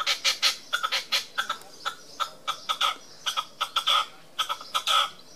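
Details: Red-legged partridge on a wall at Tresco Abbey Gardens, Isles of Scilly, giving its display: grouped harsh chuck notes in clusters of three or four, separated by brief pauses.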